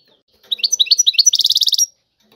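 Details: A goldfinch phrase in the tiwawati style: a few swooping chirps lead into an even, rapid rattle of about a dozen identical high notes, lasting under two seconds.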